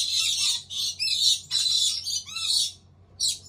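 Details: Collared lorikeet (Phigys solitarius) chicks in a nest box give harsh, hissing, rasping bursts, about five in quick succession, each roughly half a second long, with short pauses between.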